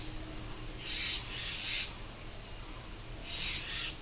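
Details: Three common myna (Acridotheres tristis) chicks in India begging: harsh, raspy hissing bursts, three in quick succession, then two more after a pause, over a faint low hum.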